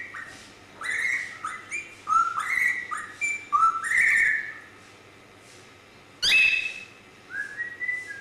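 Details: Grey parrot giving a string of whistled calls, clear upslurred and flat tones stacked with harmonics, several short notes then a louder harsh burst near six seconds and a final pair of rising whistles.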